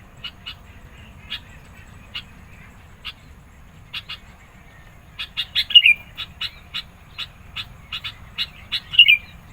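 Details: Sooty-headed bulbul in energetic song for luring and challenging rivals: sparse chips that quicken into a dense run, with two short bright whistled flourishes near the end.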